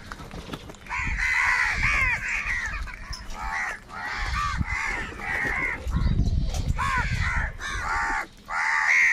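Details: Crows fighting for food, a chorus of loud grating caws from many birds, with low rumbling background noise underneath.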